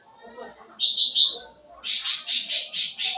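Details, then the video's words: Sooty-headed bulbul in energetic fill-in-rich song, for luring young birds; three quick bright whistled notes followed by six regular, harsh, high chattering bursts. "Suara Cucak Ranting Gacor Full Isian, Cocok Buat Pancingan Burung Bahan"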